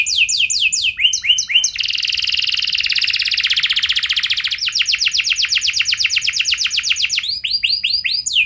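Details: Canary lure song with swept whistled notes, a long, buzzy, fast trill, then a clean rolling series of repeated notes and more sweeping phrases.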